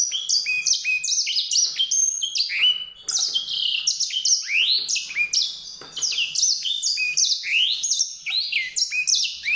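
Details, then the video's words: White-rumped seedeater delivering a long, unbroken warbling song of rapid, thin, high notes. Its varied sweeps and trills tumble over one another for nearly ten seconds, with only a brief dip around the three-second mark. "song canário-de-sobrebranco, Weißbürzelgirlitz, Edelzanger, kanárik sivý, zvonohlík šedý, greysinger"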